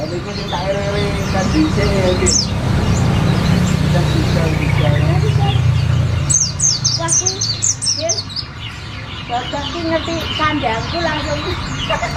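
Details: Sriganti, the olive-backed sunbird, kept as tutor material for white-eyes. A quick run of high, sliding, descending notes bursts out midway. Mid-pitched chattering and a heavy low engine-like drone run underneath.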